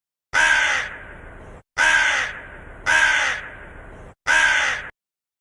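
A crow gives four loud, harsh caws, each about a second long with a rasping tail, spaced roughly every second and a quarter.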